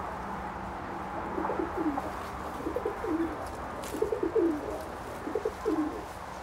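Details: Buff Orpington chickens on a small farm, 14 November 2022: soft, low burbling clucks in short uneven bursts, grouped in a few clusters over a faint steady low hum.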